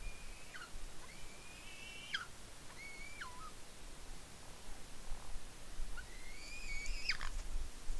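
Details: On a Norwegian nest at Smola, an eagle squees excitedly while eating fish after claiming it from its mother; several high whistled squeals that slide down at the end, in bursts with a quiet gap mid-clip.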